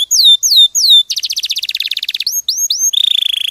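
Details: Canary song in clear quality for training birds, three slow downslurred whistles, then a very fast rattling trill, a few rising notes and a final buzzy roll.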